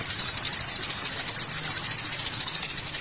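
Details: Olive-backed sunbird trilling: a very rapid, even run of tiny high notes, about three a second, thin and unbroken throughout.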